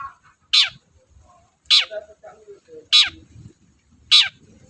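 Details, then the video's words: Long-tailed shrike singing: four loud, sharp notes, each sweeping steeply downward from very high to mid pitch, repeated about every 1.2 seconds, with soft lower chatter and faint background sounds between them. "BURUNG CENDET GACOR DORR"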